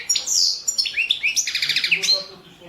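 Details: Competition song of a Balkan goldfinch, Carduelis carduelis balcanica, 2017 world championship entry: a high downslurred opening, then rising notes and a quick buzzy rattling trill fading out.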